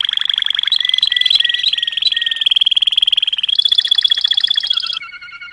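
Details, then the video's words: Malinois canary song of rapid rattling trills with short whistled notes layered over them, shifting to a higher faster roll and then to softer sustained tones. "chant canari malinois;canto canario malinois;تغريد كناري مالينوا"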